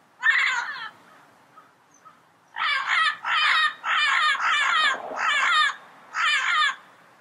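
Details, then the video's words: Yellow-headed amazon giving a lone harsh, raspy squawk, then after a pause a run of five loud grating squawks, each about half a second long and closely spaced. "Yellow Headed Parrot Sound Bird Call"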